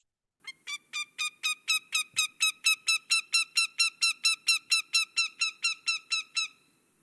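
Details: An American Goshawk (formerly Northern Goshawk) gives a loud, harsh, nasal cackle of about twenty evenly spaced kak notes, roughly three per second and steady in pitch; hearing this call means you should avoid the bird.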